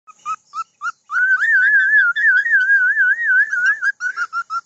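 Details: Cockatiel (Nymphicus hollandicus), song.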